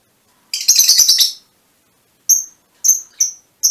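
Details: A short harsh chattering burst from mutation Fischer's lovebirds, followed by four thin, high whistled chirps spaced apart.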